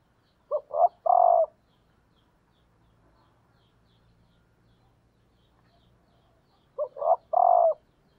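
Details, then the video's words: Decoy female spotted dove calling to excite males, two cooing phrases about six seconds apart, each made of two quick clipped notes followed by one drawn-out, even-pitched coo, against a quiet background. "cu mái gáy kích trống hiệu quả"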